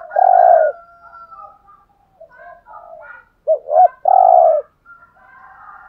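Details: Spotted dove, Hạp Bổi voice, a recording for stirring caged males to call. A long, buzzy note opens, then softer, broken background cooing, then a full phrase of two short hoots and a sustained, rattling coo.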